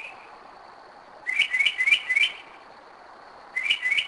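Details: Northern mockingbird singing at 2am in Kennesaw, Georgia, a bird returning to the same spot for several years: bursts of four quick rising chirped notes, a pause, then another phrase of repeated notes.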